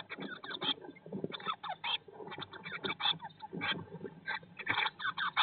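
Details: Eurasian blue tits in a nest box on day 19 after hatching in 2022; continuous, busy chatter of short buzzy notes in uneven bursts roughly every half second, over soft shuffling sounds.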